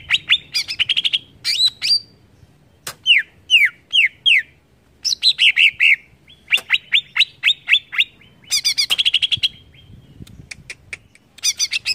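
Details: Greater green leafbird singing to provoke rival leafbirds: varied bursts of rich, fast chirps and downslurred whistles in quick phrases separated by short gaps, some parts buzzy and dense, continuing throughout.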